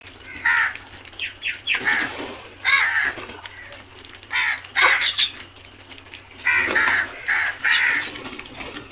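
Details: Flock of crows calling: harsh, raspy caws repeated in irregular bursts, several birds overlapping, with short pauses between groups of calls.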